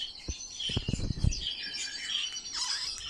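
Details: Captive Eurasian golden orioles kept as pets and played with by a person indoors; harsh, scratchy squawks and chirps spread over the clip, mixed with soft handling thumps and bumps in the first second.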